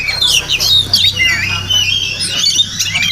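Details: Wild Oriental magpie-robin singing near a house in the morning, a tangle of high whistles and chirps over a steady low droning hum.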